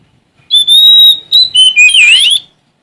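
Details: A Sumatran Oriental magpie-robin sings a clear, high whistled phrase: one long steady note, then quick sliding notes ending in a rising flourish. No other sounds.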